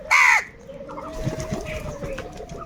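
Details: One loud, harsh crow caw, short and arched with a nasal ring, from crows fighting for food, then a long thin whistled tone and soft background chatter.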